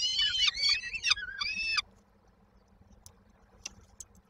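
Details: Peregrine falcon chicks at Koszalin, Poland, 19 May 2022, waiting for the mother to bring supper: a short run of rough, downward-bending screams lasting under two seconds, then near silence with faint ticks.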